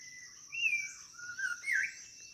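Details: A White-rumped shama calling for a mate gives two brief, clear whistled phrases, the second sliding and rising, against a steady high insect hum.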